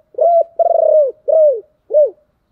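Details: Spotted dove lure call to make wild doves coo in return: four low, mellow coos in about two seconds, the second drawn out and pulsing, the others shorter and curving down.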